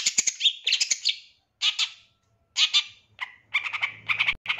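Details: Long-tailed shrike song used as a training recording for other birds: loud, harsh, scratchy bursts of rapid chattering notes in phrases about a second long, separated by short pauses, with a faint low hum at the end.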